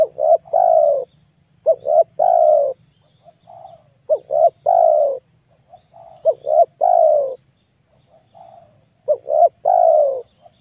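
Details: Repeated spotted dove lure coos, used to attract wild and trained doves; five phrases of two clipped coos followed by a longer falling coo, with weak murmured notes in gaps and a faint hiss.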